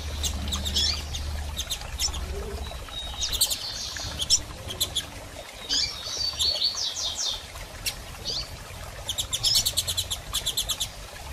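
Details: Female Double-collared seedeater calling a lot, used to stimulate a male to start singing after moult; short high chips and thin whistles come in scattered bursts, some fast clicking rattles, over a steady low hum.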